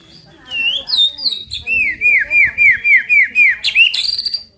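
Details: White-rumped shama singing to provoke other birds: loud whistled phrases, then a rapid series of about ten repeated downslurred notes, ending in high bright chips.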